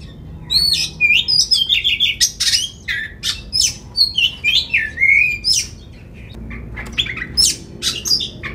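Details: A singing Oriental magpie-robin, played to provoke other magpie-robins to sing and spread their tails. It pours out a long, busy stream of sharp high notes, squeaks and slurred whistles, pausing briefly before resuming.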